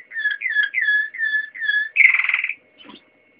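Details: Waterslager canary song with five repeated looping whistled notes about every third of a second, followed by a loud buzzy rattling burst and a faint soft note.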